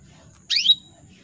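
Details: One quick, bright chirp from a female canary calling to males, sweeping upward and ending in a brief pure whistled note, with quiet background and a faint steady high whine.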